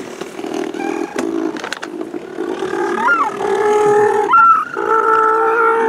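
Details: Little (blue) penguin at a protected hillside burrow nesting site, Royal Albatross Centre, Dunedin, New Zealand, in the evening as it finds its burrow and mate. It gives rough, rasping grunts turning into drawn-out, nasal, wavering braying wails over a low rumble.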